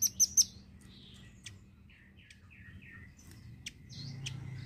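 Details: A velvet-fronted nuthatch, used as a master song for songbirds, gives three sharp, high chirps, then a run of short, slurred, mid-pitched notes and scattered high ticks, with a soft background hum.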